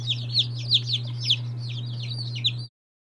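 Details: Mixed-breed day-old chicks, among them Lavender Orpingtons, Silkies, Seramas and Marans, peep in quick high downward-curving notes for under three seconds, with a steady low hum beneath, then silence.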